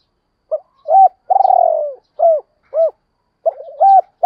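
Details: Lure recording of a spotted dove: a clipped note, a rising hoo, then a long vibrating coo falling off, two arched hoos and a wavering rise. Clean, with no background.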